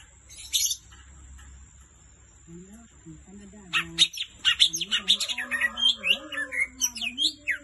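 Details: Greater green leafbird, called cucak ijo, in sweet lively song: after a brief early note, a fast tumbling stream of bright varied chirps and trills begins midway, over a steady high whine and low tonal sounds.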